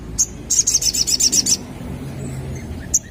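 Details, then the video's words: Quick burst of sharp, high, trilled notes after an opening chip, ending with one more lone chip; a sunbird lure used to get young sogon birds to call back. "Burung Sogon Muda Bakalan Langsung Nyaut Denger Suara Pancingan ini"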